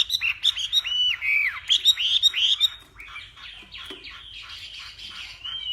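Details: Hwamei singing at a morning contest, northwest Vietnam bird: bright arched whistles and chirps delivered rapidly, fading into softer, quieter warbling toward the end.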